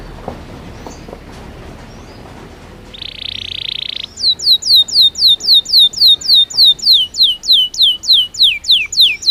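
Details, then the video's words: Belgian canary singing naturally: after a quiet start and a short buzzy burst, a loud series of regular sweeping whistled notes, repeated about three times a second. "Som de 1 Hora com Canario Belga Cantando Naturalmente"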